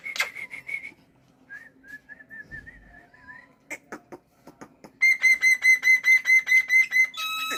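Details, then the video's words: Morning song from a pet black-winged myna: a series of short wavering whistles, a few clicks, then a loud run of about ten evenly repeated rich, ringing whistled notes. "BURUNG JAPUT KU GACOR BANGET"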